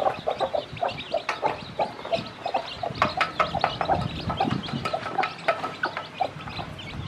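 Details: Hen teaching her hatchlings to feed; steady run of low clucks repeated about twice a second beneath a busy chorus of thin chick peeps and sharp pecking clicks.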